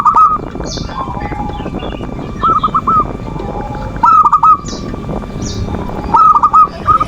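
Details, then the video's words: Zebra dove manggung song, a lure for doves that are lazy to sing: sparse groups of three or four clipped arched coos every two seconds or so, soft lower notes between, and scattered high chirps from other birds. "Suara perkutut pancingan birahi dan emosi,the sound of turtle doves to lure passion and emotion"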